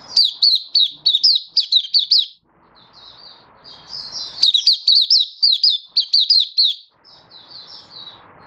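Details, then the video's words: High, fast chirping phrases from a Malaysian white-eye singing openly in Singapore, 20 March 2023, warm sunny weather, alternating loud runs with softer twittering and faint background noise. "Malaysian Mata Puteh Happy Buka Sing"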